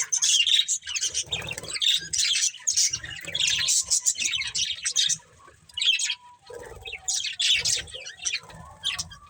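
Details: Budgies chirping: dense bursts of scratchy, high warbled chatter, several birds overlapping, with brief pauses and a soft low rumble underneath.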